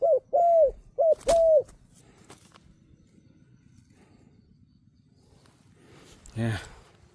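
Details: Decoy spotted dove calling from below to lure fierce wild doves: four short, mellow, arched coos in two quick pairs at the start, then near silence with a faint knock and a brief rustling thud near the end.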